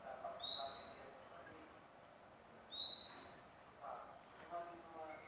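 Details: Newly acquired magpie-robin giving two matching rising whistles about two and a half seconds apart, each clear and pure, with faint background hiss between them.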